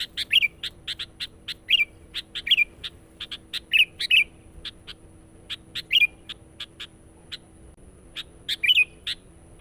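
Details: Persistent sooty-headed bulbul song used to pull in wild birds. Fast trains of sharp notes are punctuated every second or so by short bubbly, descending warbles.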